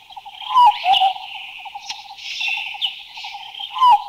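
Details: Large Scimitar Babbler (Erythrogenys hypoleucos), recorded in a Thai national park (Khao Yai, Doi Inthanon, Doi Suthep-Pui or Chae Son), calling: a few mellow, hooting whistled notes slurring downward, spaced over four seconds, over a steady shrill insect drone.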